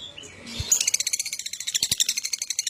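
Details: Lovebird ngekek, a long chattering song used as a lure to prompt other lovebirds to sing: a few soft notes, then a rapid, even, high-pitched trill of sharp clicks, about ten per second, sustained to the end.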